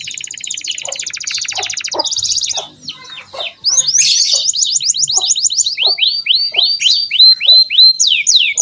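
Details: Energetic canary singing for training young birds: a dense buzzy trill and scattered chirps, then a fast rolling trill leading into a series of clear, evenly spaced downward slurred notes.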